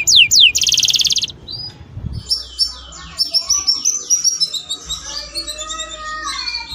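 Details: Canary song used to prompt mating: two quick downward slurs and a short buzzy trill, followed by a softer tumbling series of high chirps and twitters, with a low hum in the background.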